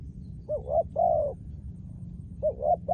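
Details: Decoy-trained spotted dove calling with a quick low double coo followed by a longer, smooth falling coo, then the phrase begins again; steady low rumble underneath.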